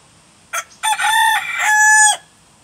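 A rooster gives one loud, harsh crow of about one and a half seconds, opening with a short clipped note and ending in a long, drawn-out wail.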